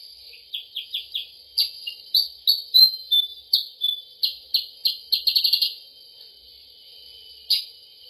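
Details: Lure recording for attracting sooty-headed bulbuls: bright, high chirps in an uneven series, speeding into a quick burst near the end, followed by quiet and one last chirp, with a faint constant high tone behind.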